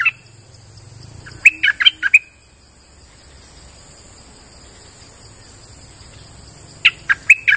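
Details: Streak-eared bulbul singing gacor-style lure phrases outdoors in forest: a brief note, then a tight cluster of loud chirps, a long silent gap, and a final clipped burst of four notes. A steady high whine sounds in the background.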